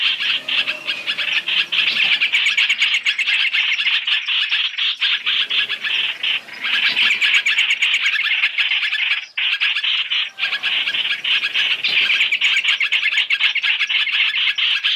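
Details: Three-in-one Chinese hwamei lure recording made for trapping: loud continuous rasping chatter mixed with rapid notes, nearly unbroken, dipping briefly around the middle before resuming at full strength.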